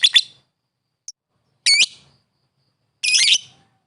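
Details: Lovebird calling a rival with a few harsh, buzzy high squawks, each about a quarter second long, spaced over a couple of seconds in quiet surroundings.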